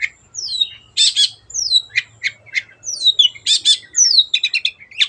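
A long-tailed shrike sings a rapid, varied medley of high descending whistles, harsh buzzy bursts and chattering notes, with a faint low hum beneath.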